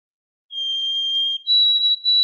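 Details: White-throated Sparrow song, rendered as "oh sweet Canada Canada": a long, clear, steady whistle followed by a slightly higher held whistle, with no other sounds.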